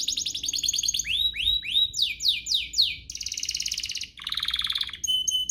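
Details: Domestic canary song aimed at getting other canaries to sing: a rapid trill, rising then falling slurred whistles in series, buzzy rolls, and a final clear high note.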